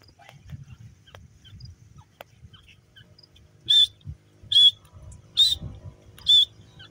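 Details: Grey francolin in the morning, calling with loud, sharp, high whistled notes repeated about once a second, four in a row after a quiet start with faint low rustling.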